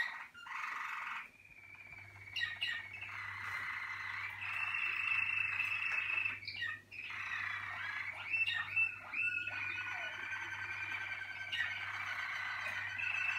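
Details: Malinois Waterslager canary from a 2019 team, singing extended rolling and bubbling water-like trills with short breaks and occasional sharp clicks, over a faint steady low hum.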